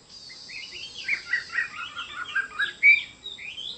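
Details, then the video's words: Chinese hwamei delivering a fluid warbling phrase of quick slurred notes rising and falling, peaking in one bright, loud whistle before trailing off into softer notes. "Chim họa mi đẹp và hót rất hay"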